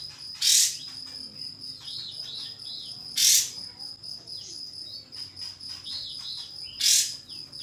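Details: Pied fantail, locally called kapas tembak, singing to call a rival as a lure for tail-spreading. Three loud, harsh, high bursts about three seconds apart, with soft whistled arcs between them over a steady high insect-like tone.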